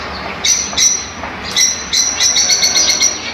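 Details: Fischer's lovebirds calling, sound intended to encourage mating: bright, thin chirps repeated rapidly in short runs over a steady low background hiss and rumble.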